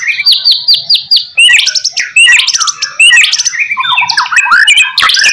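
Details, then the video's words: White-rumped shama master song meant to provoke other shamas into answering. It opens with a run of about six repeated downslurred whistles, then bursts into rich, rapidly changing whistled and chattering phrases. "HITUNGAN MENIT SAJA, MURAI BATU APAPUN LANGSUNG NYAUT"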